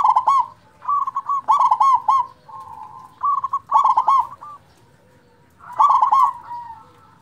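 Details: Strong-voiced local zebra dove, meant to excite and arouse quiet zebra doves into singing, repeats bubbling coo phrases roughly every two seconds, each starting with crisp stuttered notes and sliding into softer rolling tones, with a short pause near the end.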